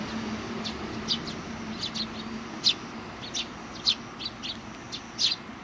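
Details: Sparrows at a Tenmangu shrine in July 2020, described as greeting arrivals: short high chirps scattered across the clip, spaced roughly every half second to a second, over a faint low hum.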